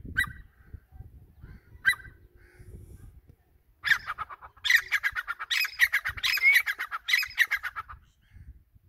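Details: Grey francolin, known locally as teetar, giving two spaced harsh notes, then a loud fast series of ringing, grating repeated notes about four per second that runs for roughly four seconds before stopping.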